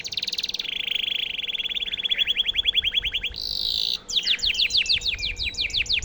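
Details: Canary song offered as a model for White-rumped shamas to learn: a long, fast, rolling trill that gradually lowers, a brief buzzy note, then a quick series of steep descending slurred whistles.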